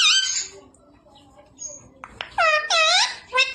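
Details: Household parrot that speaks like a person, being coached to say "papa". After a quiet gap it produces loud, high-pitched, wavering speech-like syllables in two or three bursts.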